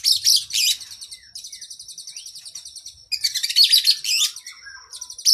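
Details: Oriental magpie-robin (kacer) training song for cage birds, long isian: loud high scratchy bursts, a sustained rapid trill lasting nearly two seconds, then more intense chatter and a final burst.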